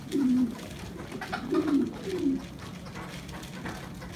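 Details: A domestic French pigeon in Hanoi, reportedly in its breeding phase, gives low, throaty coos in three short rolling bursts.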